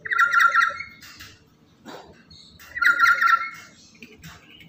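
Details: Loud, chattering lory used as a lure and master bird for other lories: two rasping, pulsed squawk bursts around two and a half seconds apart, a brief sweeping sound between them, faint low background noise.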